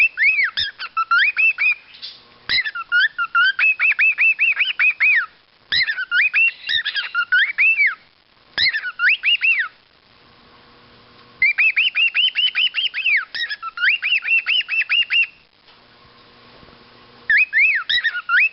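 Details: A male pet cockatiel sings to himself in bursts of bright, warbling whistles that slide up and down in quick repeated phrases.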